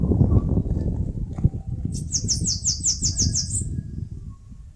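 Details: High, rapid trill of about nine sibilant notes from a Bananaquit building its nest on a mandacaru cactus in Brazil's Northeast, each note a quick thin buzz, with low rumbling noise underneath.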